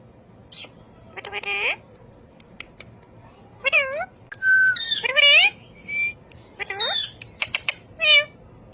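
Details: Ring-necked parakeet talking in spaced bursts of rising and falling harmonic syllables, some meow-like, together with a brief flat whistle and scattered clicks.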